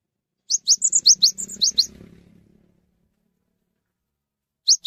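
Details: Cinereous tit in full song, calling other tits to sing along: a quick run of about ten bright, high piping notes over roughly a second and a half, then quiet, then two more sharp notes at the end.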